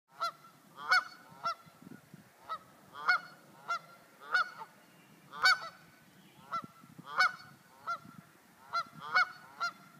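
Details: Geese calling to each other from neighbouring roofs, giving loud nasal honks singly or in quick pairs, about fifteen in ten seconds, with a faint low background hum.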